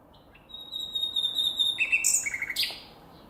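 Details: Nightingale song outdoors in nature, opening with long, level, pure whistled notes, then shifting to a buzzy burst and a quick series of repeated clipped notes before fading to quiet hiss.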